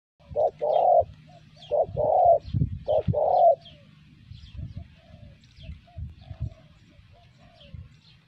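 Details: Spotted dove coos used for luring the bird: a series of loud, mellow, low cooing notes in quick groups over the first few seconds, then softer, more distant coos with faint thuds in the background.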